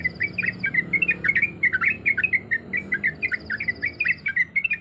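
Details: Breeding-condition female sooty-headed bulbul calling for males with a steady stream of short warbled, looping whistle notes, a faint high-pitched electronic tone audible at start and end.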